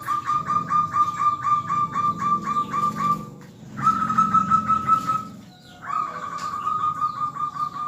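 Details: Zebra dove song used as a lure to make other birds answer: three rapid pulsed cooing trills, the first long and steady, the others shorter, set against a continuous low droning background.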